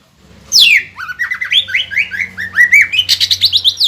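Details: Prolific green leafbird (cucak ijo) singing as a lure meant to provoke other leafbirds into song. A loud descending sweep opens a run of varied whistled slurs, ending in fast, evenly repeated chirping notes.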